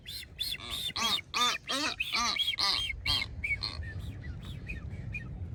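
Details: Blue-footed booby pairs dancing in courtship on North Seymour Island, Ecuador's Galápagos: a rapid run of about nine harsh honking notes, fading into a string of quieter whistled chirps.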